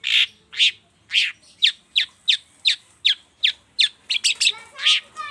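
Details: Long-tailed shrike in a morning lure recording used to prompt other shrikes into song: about a dozen strong, evenly spaced harsh chirps, then a quicker cluster of notes and a final loud chirp.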